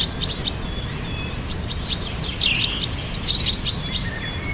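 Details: Birds singing outdoors in springtime: repeated bright, high chirps at a quick pace, a few longer sweeping whistles sliding downward, and a soft steady hiss underneath.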